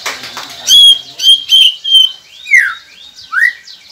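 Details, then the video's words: White-rumped shama song used to prompt quiet captive birds to start singing: clear whistled notes, then two rising slurred whistles, phrases spaced about half a second apart. "Murai Pendiam Cepet Buka Suara dengan masteran ini | shama bird"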